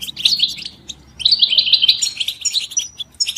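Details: Mating and readiness calls of European goldfinches, played to get caged males singing: two bursts of liquid, rolling twitters and trills, the second longer and ending in thin whistled notes.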